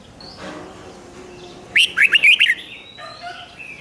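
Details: Red-whiskered bulbul singing a 'rik' style song, played to excite caged birds: one quick phrase of five or six bright, warbled, rising and falling notes, with faint softer chirps before and after.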